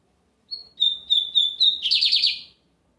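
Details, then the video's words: Lined seedeater (bigodinho) song recorded in Brazil on a Sunday: short introductory note, four clear whistled phrases at even intervals, then a rapid rattling trill that fades after two seconds. "Bigodinho Americano cantando muito na domingueira!"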